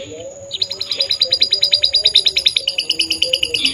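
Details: Canary singing vigorously, described as good-looking, pouring out a fast even trill of sharp repeated high notes, about six per second, after a quiet start, with a faint low wavering tone beneath.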